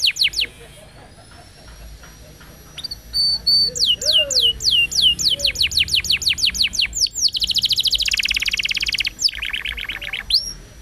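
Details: Canary song meant to tutor young canaries: soft high notes build into a long series of steep descending whistles, then a dense buzzing roll and a short final burst of chirps.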